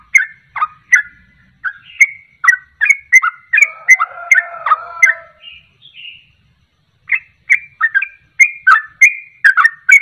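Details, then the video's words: Sooty-headed bulbul ropelan song meant to provoke birds to sing: quick whistled phrases with a low warbling passage in the middle, a one-second gap, then more bright slurred notes. "Ropelan Trucuk Ini Ampuh Untuk Pancingan Langsung Pada Ikut Ropel"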